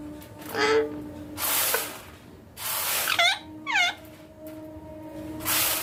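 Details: Indian green ringneck parrot calling naturally beside its owner: two harsh, sharply descending squawks about half a second apart, with loud hissing rushes of noise before and after.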